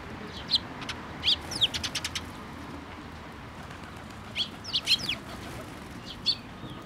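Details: Sparrows gathering at a shrine to be fed from a post, 26 May, with scattered high chirps in two loose clusters, some doubled notes, and a lone chirp near the end.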